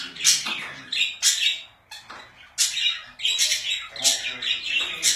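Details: Pet budgerigars make loud, harsh, high squawks and chirps in short bursts, a pause near two seconds, then a busy run of rapid scratchy notes.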